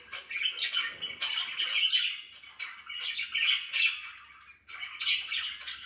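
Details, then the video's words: Pet budgies chirping in the morning, three or four rolling bouts of scratchy, buzzy warbling and chirps, each fading before the next starts. "CHIRPING IN THE MORNING"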